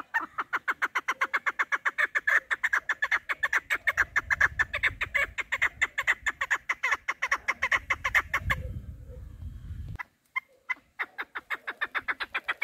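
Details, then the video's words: Female chukar kept as a hunting partridge, delivering a long fast chain of clucking notes, nearly continuous for eight seconds, with low rumbling handling noise underneath, a brief pause, then the chucking resumes. "Овози модкабк Садои модкабки шикори Мастак Кабки мода Кабк Кабк Keklik که و Partridge Chukar"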